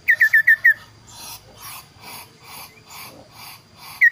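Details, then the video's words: Kaso-kaso bird song, clear and varied: five quick falling whistles open the passage, followed by breathy rhythmic rushing sounds, then two more whistles at the end. "burung kaso kaso tampil dua suara variasi"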